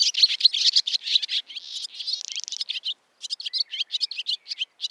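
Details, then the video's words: Barn swallow (Hirundo rustica) recorded in Finland, with a dense chattering warble of high notes including a short buzzy rattle in the middle, then a pause and a series of sharp clipped twitters. "Haarapääsky - Hirundo rustica - Barn Swallow - ladusvala"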